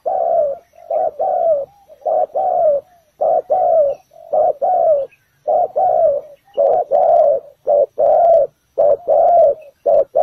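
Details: Ground decoy spotted dove calling to draw wild doves to a trap. Low mellow coos repeat almost continuously in regular pairs, a short note then a longer gently falling one, about once per second.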